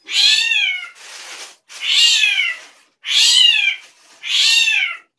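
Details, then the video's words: Drongo giving unusual calls: loud, raspy, cat-like mewing notes with a falling arch, four in a row, with softer breathy hisses between them. "SRIGUNTING KRANTIL SUARA ANEH"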